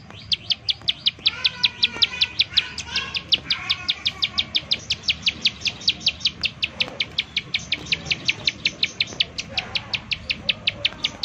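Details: Used to provoke other prinias into singing, a bar-winged prinia calls in a long unbroken series of sharp, high chipping notes, about three per second, with faint softer chirps of another bird behind.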